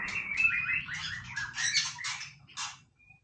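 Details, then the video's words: Playful singing from a white-rumped shama, a rapid run of warbled whistles and scratchy chatter that fades out, with a faint high note at the end. "นกกางเขนดงร้องเล่น Shama Bird"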